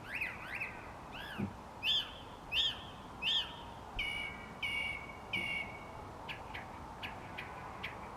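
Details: Song thrush singing at dusk outside a studio: each phrase is repeated three times, first clear, arching whistled notes at a steady pace, then sharper chattering notes, then softer quick chips, over a constant low rumble of background noise.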